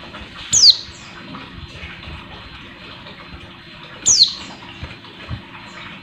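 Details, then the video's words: Sharp, thin, falling calls from a female Oriental white-eye used to excite males, two clear notes three and a half seconds apart and a third just beginning, over low hum. "pleci betina buat menaikan emosi pleci bahan"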